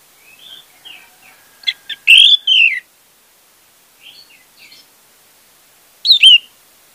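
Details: Orange-headed thrush lure song for a non-singing bird: soft scattered whistles lead into a loud, slurred phrase, quiet notes follow, then another strong down-slurred whistle.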